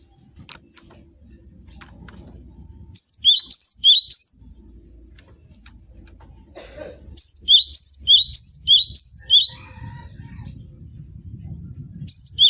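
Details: Javan sparrow in captivity sings two bursts of repeated high, slurred chirps, each note stepping down then rising, about four to seven notes per phrase, separated by quiet gaps with a low hum.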